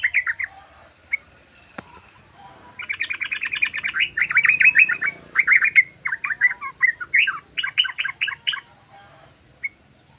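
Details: Rapid ropel song of a yellow-vented bulbul, known locally as trucukan: after a few scattered chirps, dense runs of bubbling notes pour out in several long strings, with brief gaps and a faint constant tone.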